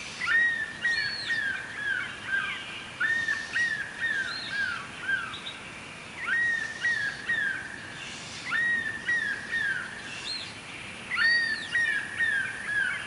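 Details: Stork-billed kingfisher calling at dawn while perched over a pond: loud, harsh whistled phrases that rise then drop, repeated every two to three seconds over a steady background hiss.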